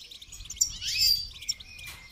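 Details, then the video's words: Brief goldfinch song for training: a tumbling run of high, liquid twitters swelling to a louder buzzy flourish in the middle, then fading into softer chirps. "Motivational rewards for training goldfinch to song"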